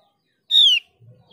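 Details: Mees's white-eye lure sound: a single clear whistled note, slightly falling and rich in harmonics, lasting about a third of a second, followed by a soft low rumble.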